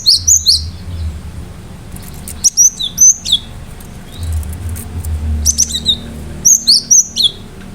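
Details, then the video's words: Cinereous tit in full, sharp song to trigger other birds: repeated bursts of high whistled and downslurred notes in rapid clusters, several phrases with short pauses, over low hum. "Gelatik batu gacor awas burung mu akan ikutan gacor"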